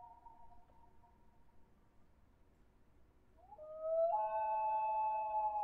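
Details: Common loon wail: a long faint steady tone that fades, then a louder call slides up and holds a clear, mournful note with rich overtones.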